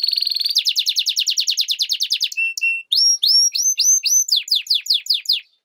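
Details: Varied song of a European goldfinch × canary hybrid: a rapid high trill, a run of spaced pulsed notes, two steady whistles, then rising slurred whistles and descending chirps repeated quickly.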